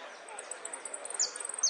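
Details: Saffron finch (jilguero) singing in the golpes, pitadas y prio style: a fast, very high, even trill of tiny ticking notes, with two sharp down-slurred whistles near the end, over soft background hiss.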